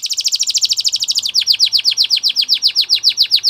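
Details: Singing Gloster canary, recorded for training: a rapid, rolling high trill switches abruptly to a steady run of slightly slower, repeated swooping notes.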